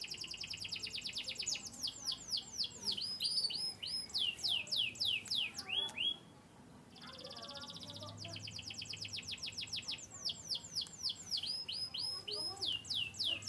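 A canary sings in rapid rolling trills of high, bright notes, pausing briefly midway before resuming with fast repeated phrases and chirps.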